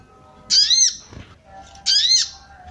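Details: Female sooty-headed bulbul making its 'cuit cuit' call meant to arouse males. A pair of rasping, arched squawks about 1.35 seconds apart, with a soft thump between them.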